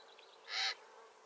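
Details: Great spotted cuckoo, just arrived on the Iberian Peninsula in spring, one of two on a shrub, giving a single harsh, grating burst about a quarter-second long, noisy and broad in tone, over faint background hiss.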